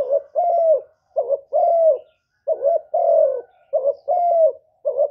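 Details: Caged decoy spotted dove answering a wild rival, giving deep soft coos: a short bubbling note followed by a longer drawn-out falling coo, repeated in quick pairs, background quiet.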